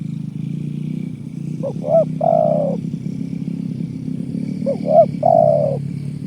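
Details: Spotted dove (tekukur) giving a 'kuk 1' style coo, used as a lure for trapping: two short rising notes, then a longer falling coo, repeated twice over a steady engine hum.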